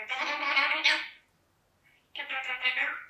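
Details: An African grey parrot (female) chatters in two rich, voice-like bursts, each about a second long with a short silence between, during her normal morning routine indoors.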